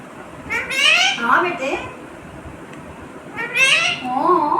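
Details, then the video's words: A pet parrot talking, saying "mummy": two short voiced, speech-like phrases with gliding, stacked harmonics, roughly three seconds apart, against a quiet background. "Mithu talking mummy"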